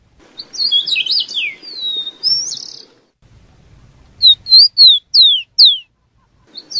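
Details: Rufous-collared sparrow singing: a tumbling jumble of high thin notes, then a run of five clear down-slurred whistles, separate and evenly spaced, in a quiet setting.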